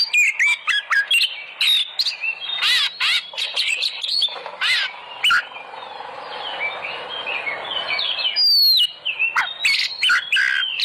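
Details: Lure recording of oriental magpie-robin song meant to provoke other birds into loud singing: choppy clicks and whistled phrases, a softer warbling stretch in the middle, then a sharp descending whistle and renewed chatter.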